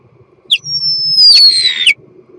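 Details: Common starling in mating song: a long, high whistled note sliding gently downward, framed by sharp clicks at each end and a brief rougher burst midway.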